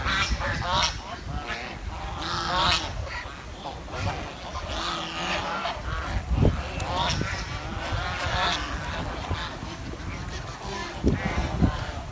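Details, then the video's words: Chirping sounds of a village swan, a long run of nasal honks and quavering notes from what sound like several birds calling together, over continuous low rumbling noise and occasional knocks. "The Chirping Sound of The Village Swan"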